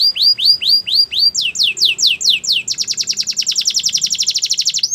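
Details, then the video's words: Belgian canary singing in the morning: a run of rising upslurred whistles, then downslurred notes, then a fast even trill of short high notes, all clear and loud. "Belgian canary singing every morning"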